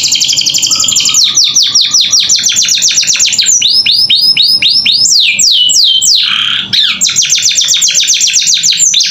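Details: Canary singing a filled, varied song as training material for young captive birds: rapid trills of short repeated notes, arched and descending whistles, then another fast trill.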